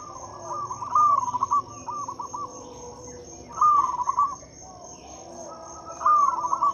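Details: Local zebra dove song used as a lure to prompt silent doves to sing: three bursts of rapid, staccato cooing notes, each phrase about a second long and roughly two to three seconds apart, over a steady high insect whine.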